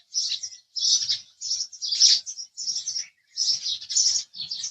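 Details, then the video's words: House sparrow chirping in regular short bursts, roughly one every half second, bright and high with quiet gaps between. "house Sparrow Chirping Sound"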